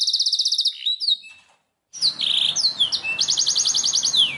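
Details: Black-throated canary singing high, bright phrases: fast repeated trills alternate with sweeping slurred notes, broken by a short silence midway.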